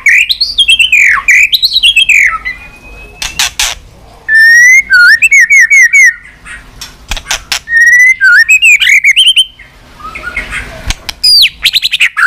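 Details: White-rumped shama in continuous 'tạch' singing for stimulating other birds: bursts of looping whistles and rapid repeated notes separated by sharp clicks and short pauses.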